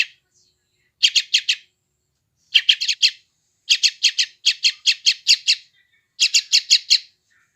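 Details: Begging-style calls of a yellow-vented bulbul chick from West Java, phone-recorded to help tame stressed wild-caught bulbuls: scratchy high notes in fast bursts, including a long unbroken string of about a dozen.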